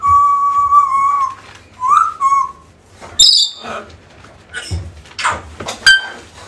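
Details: African grey parrot calls used to lure a lost bird back: clear whistles near one pitch, a short rising-falling whistle, then scattered harsher rasping notes and brief high squeaks.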